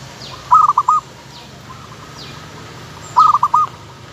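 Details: Local zebra dove: two phrases of quick, rounded cooing notes about 2.7 seconds apart, with quieter notes between. Soft, high swishing sounds recur in the background.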